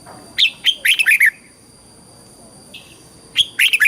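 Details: Caged red-whiskered bulbul singing a southern Thai style phrase, played to excite birds and train youngsters: a fast run of bright, bubbly whistles, a pause with a faint short note, then another burst.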